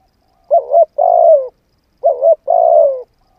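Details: Spotted dove cooing for decoy-bird training, two phrases about one and a half seconds apart, each a short trembling double note then a sustained coo sliding gently downward.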